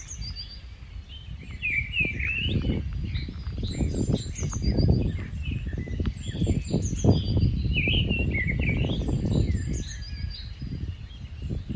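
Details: Rufous-tailed scrub robin (Cercotrichas galactotes), a migratory bird, singing varied, sweet, thrush-like phrases of rising and falling notes, some high and thin, over a steady low rumble of wind.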